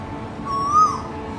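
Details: A male Asian koel in Singapore, heard as a morning call at city windows, gives a single clear whistled note that rises slightly in pitch, over a low background hum.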